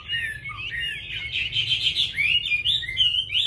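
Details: Caged Chinese hwamei singing a continuous rich warbling stream of overlapping whistled notes, dense and varied, over a low room hum.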